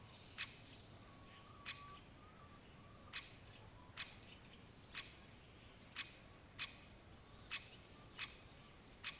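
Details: Great spotted woodpecker giving sharp, short 'kik' notes about eleven times in nine seconds, irregularly spaced roughly every half to one and a half seconds, with faint thin whistles of other birds and a soft outdoor background hiss.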